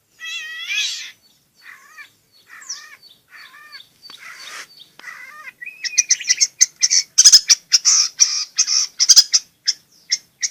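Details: Long-tailed shrike starting with spaced, nasal, slightly warbled notes, then bursting into a fast, scratchy chatter of high chirps; the recording serves to draw song from quiet shrikes.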